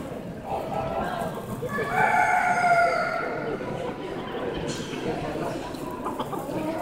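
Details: Crested Dutch chicken rooster gives one drawn-out, hoarse crow of about a second and a half over the hubbub of a busy hall and other clucking fowl, at an agricultural exhibition in Noreikiškės, Kaunas County, Lithuania, 8 October 2016, 14:08.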